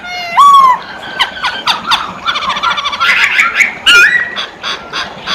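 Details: Masked laughingthrush, poksay hongkong, singing: a loud rising whistle opening, then quick clicking notes, harsh chattering and short whistled slurs.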